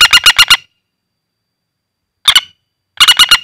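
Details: Common flameback, a wild-caught bird calling in the hand, used as a lure call: rapid bursts of four to five sharp, harsh notes, a short burst, then more bursts after a pause.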